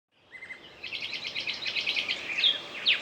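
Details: Bird song: a long whistled note, then a rapid series of bright, repeated chirps speeding along, ending in sharp rising and falling whistles; faint background hiss.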